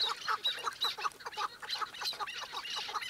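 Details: Chukar partridge giving a steady run of harsh, clucking notes, about two to three per second, each note rough and stacked with bright overtones, continuing without pause through the whole stretch.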